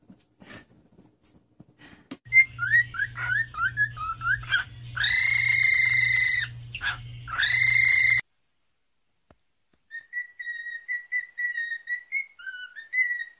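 A cockatiel gives a run of quick whistled notes, then loud harsh harmonic calls and a softer whistled phrase.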